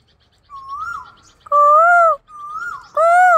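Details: Asian koel being annoyed, answering soft rising whistles with two loud, full, slightly arched calls, each about half a second long.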